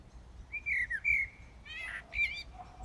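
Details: Common blackbird singing in darkness in Brussels, Belgium, on the early morning of 15 January 2018; a drawn-out, slurred whistle followed by a rough, chattering high ending.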